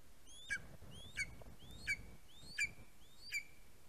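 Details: Greater spotted eagle, 11 August 2020, around a chick fledging from the nest: five high, thin whistled calls, each rising then ending in a sharp note, about every 0.7 seconds over faint background noise.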